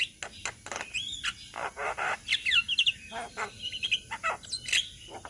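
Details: Group of young black-winged mynas from Indonesia: scratchy chatters and short rasps interspersed with bright upslurred whistles, notes overlapping in a busy flock chorus.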